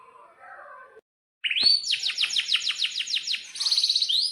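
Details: Canary singing a long rolling 'cuit cuit' tutor song for young canaries: a soft low warble and brief silence, then a rapid rolling run of high downslurred notes, about five per second, ending in a buzzy trill.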